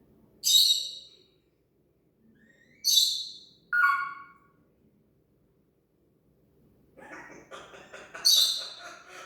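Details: Talking pet parrot copying sound effects, giving three sharp high harmonic blasts, a short descending whistled note, then a rapid buzzy stuttering sequence ending in another bright burst.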